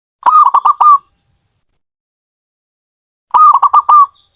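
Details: Zebra dove delivering two identical rolling coo phrases, each a rapid run of four or five soft purring notes lasting under a second, separated by about two seconds of silence.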